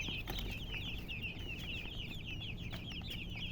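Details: Chickens, called murgi hens, with many overlapping high chirping peeps in a steady rapid stream over a low rumbling background.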